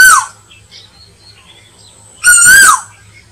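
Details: Hunting lure of an Asian koel: the tail of one whistle, then after a quiet gap a loud, buzzy-edged note that climbs and falls, over a steady low hum.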